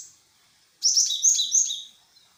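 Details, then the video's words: Great tit lure call meant to make a bird answer: after a moment of quiet, a short burst of very high, thin chirps and buzzy notes lasts under a second, then fades out. "Suara pancingan burung glatik... Pasti nyaut."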